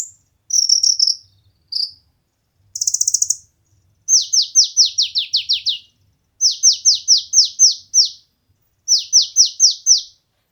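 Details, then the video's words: Competition-training song of an olive-backed sunbird (konin): a few brief high trills and chips, then three runs of about seven sharp, high, downward-sweeping notes, each run separated by a pause of about a second. "konin materi burung lomba cocok untuk masteran dan pancingan burung kesayangan"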